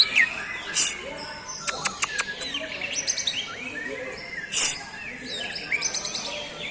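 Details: Greater green leafbird, known locally as cucak ijo, singing a lively varied song of bright whistles, sharp clicks and quick upward-sweeping notes, with a few loud broadband bursts.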